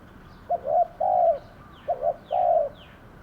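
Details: Decoy spotted dove calling at a trap pen set to draw in wild doves. Two soft hollow phrases, each a quick double note followed by a longer sustained coo; faint higher chirps from other birds behind.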